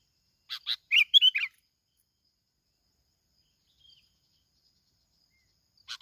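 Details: Plain-backed sparrow, a lure bird from Binh Thuan, Vietnam, giving a rapid string of five or six sharp chirps in about one second, then a long pause and the start of another phrase.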